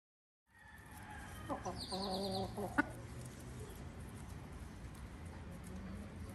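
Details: Ayam Cemani, the all-black Indonesian chicken breed, gives a short burst of rapid, pulsed, harmonic-rich notes lasting about a second and a half, followed by quieter background noise.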